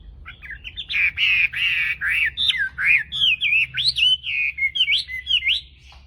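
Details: Chinese hwamei, a tame contest bird greeting the dawn, pours out a continuous run of loud, varied whistles, swooping up and down in quick rolling phrases with a few harsher notes, steady for about five seconds.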